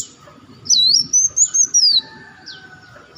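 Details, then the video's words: Olive-backed sunbird lure recording: a high, sweeping whistled phrase that wavers up and down and then falls, followed by a short rising note, over a faint low murmur. "audio pancingan burung madu Wulung/Muncang"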